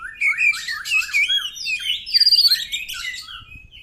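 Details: Fast, busy song of a white-rumped shama: rising and falling whistles mixed with scratchy chatter and a quick trilled burst midway, loud and continuous throughout, played so other birds will answer.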